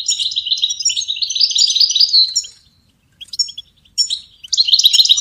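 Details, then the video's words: Goldfinch song used as a training melody for songbirds: a long, unbroken run of fast, high, jingling twitters lasting over two seconds, followed by a pause and then shorter twittering bursts. "Goldfinch ringtones for hunting and high motivation"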